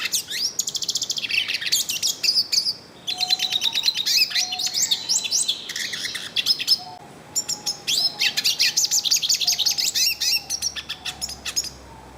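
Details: Yellow-faced siskin singing freely in the wild: long bursts of fast, high twittering and buzzy trills separated by short gaps, with soft low whistled notes from another bird behind.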